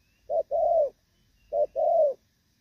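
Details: Moulting spotted dove of the Thổ Pha type, 3/6/2024: two gù phrases, each a short note followed by a sustained, slightly falling coo, about 1.2 seconds apart.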